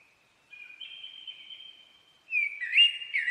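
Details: Common blackbird song: a thin, steady whistled note held for over a second, then a loud burst of bubbling, fluty warbles with scratchy overtones.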